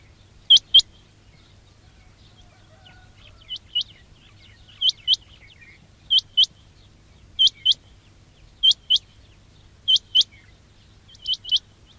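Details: Quail call for luring birds: high, sharp chirps mostly in pairs, each pair spaced about a second or more apart, over a quiet background with a low steady hum.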